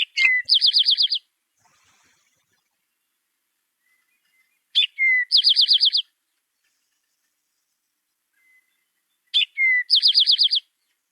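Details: Eastern Towhee, a Vermont priority bird, sings three times about every four and a half seconds: a sharp introductory note sliding down, then a bright, rapid trill, the familiar drink-your-tea.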